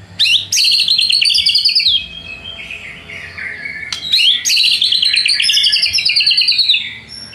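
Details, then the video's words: White-rumped shama (murai batu) lure song meant to trigger rival birds: two loud bouts of fast, high, rattling trills, each fading into softer lower warbles before the next burst. "PANCINGAN MURAI BATU PENDONGKRAK EMOSI MUSUH"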